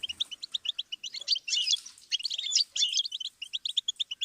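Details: Goldfinch song meant as a tutor for young songbirds: evenly spaced chirps that speed into jangling, buzzy flourishes, then return to a regular run of bright notes.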